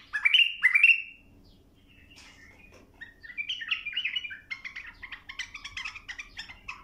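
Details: Bulbul singing, meant to tutor young birds to sing: two loud rising whistled swoops, a pause, then a lively stream of chattering, warbling notes growing busier toward the end.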